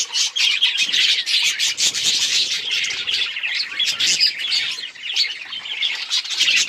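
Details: Steady budgerigar chirping, an unbroken stream of rapid squeaky twitters and warbled notes at high pitch, loud and busy throughout.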